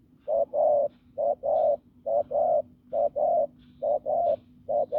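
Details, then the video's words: Spotted dove of the fields, strong and hoarse, cooing in quick doubled notes, a short hoot then a longer swelling one, repeated evenly about every 0.9 seconds, with faint high chirps behind. "Bổi đồng khàn cứng gù"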